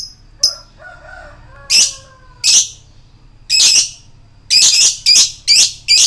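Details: Lovebird lure call of the 'koek' type, meant to provoke other lovebirds. Scattered harsh shrieks come with uneven gaps, faint thin whistles sound in between, and a closer run of shrill notes follows at the end.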